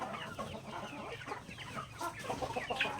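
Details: Hens feeding on grains in a backyard, clucking rapidly and irregularly, about three or four notes a second from several birds, with pecking taps mixed in.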